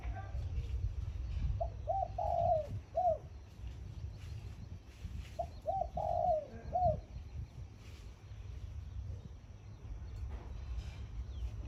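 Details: Morning khan yon song of a decoy zebra dove: two full phrases about four seconds apart. Each has quick clipped notes, a rolling warbled coo and a final downslurred note. Constant low background hum.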